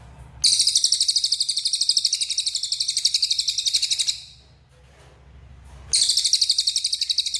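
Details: Cililin bird singing actively: a loud, high, buzzy trill of rapid, evenly pulsed notes lasting about four seconds, a short pause, then another burst begins.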